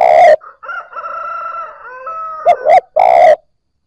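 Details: A spotted dove coos to stimulate newly caught birds. A long wavering, whistled call fills the middle, between the tail of one coo and a full two-short-one-long phrase.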